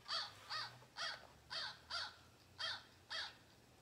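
American Crow giving a series of harsh, rasping caws, about two per second, seven in a row, with little else heard behind them.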